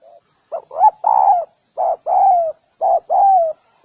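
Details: Cooing of spotted doves played to incite males and females to fight; short rising hoots lead into longer, gently falling coos, the phrase repeated roughly every second, clear and dominant with a quiet background.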